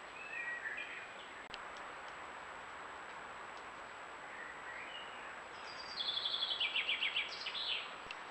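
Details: Young great spotted woodpecker, one of four fledglings of a resident pair, in a backyard in northern Germany on an afternoon in July 2020 gives a quick burst of sharp, high chattering notes after a few faint chirps, over steady outdoor background noise.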